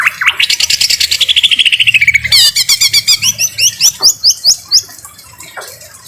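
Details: Caged-bird tutor track of a greater green leafbird's harsh voice with rain sounds. Begins with a long, fast descending trill, then bright whistled slurs repeated about twice a second, fading near the end.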